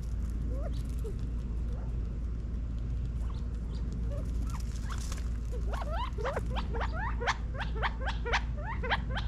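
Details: California quail feeding in a Las Vegas, Nevada back yard in fall 2022. A few soft low notes, then from about six seconds a rapid series of bright, steeply rising chirps repeated roughly twice a second, over low background hum.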